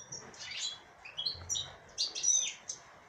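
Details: Female European goldfinch giving a short, quick twittered phrase of high slurred notes ending in a thin whistle and buzzy trill.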